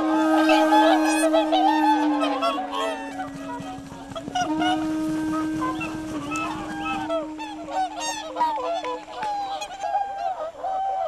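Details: A flock of whooper swans on misty, icy Lake Kussharo, Hokkaido, Japan, in winter gives loud, bugling, trumpet-like honks that overlap in quick succession, with a steady low hum underneath.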